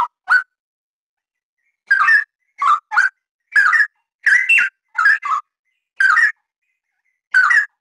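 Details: Straw-headed bulbul giving loud, rich bubbling whistles in short phrases, an opening pair, a gap of over a second, then a lively string of warbled bursts and a final phrase; background silent.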